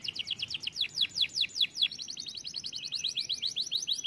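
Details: Canary singing a fast run of high, sharply descending whistled notes, about three per second, then switching to a quicker, rolling series of short chirps; slight background hiss.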